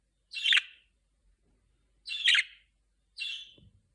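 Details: A budgerigar that has not yet learned to talk, during speech training; three scratchy, buzzy chirps with a burred middle, about two seconds apart, against silence.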